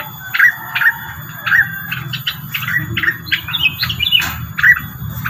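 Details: Rengganis lure call given as scattered short chirps and squawky notes, irregularly spaced, over faint low rumble.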